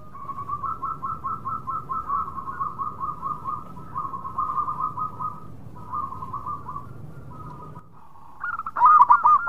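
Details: Local zebra dove with a long, soft, fluttering run of rapid coo notes near one kilohertz, broken by brief gaps, ending in a sudden loud cluster of strong coos.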